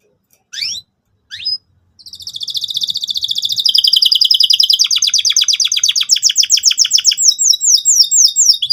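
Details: Canary song used to draw out young canaries learning to sing: two brief rising notes, then a long fast trill that grows louder and shifts into sharp, repeated high chirps.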